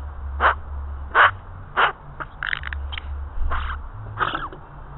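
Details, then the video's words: Australian magpie barking: harsh, rasping single notes repeated roughly every half second to second, some doubled or broken, over a steady low engine-like hum. "#barking #magpie"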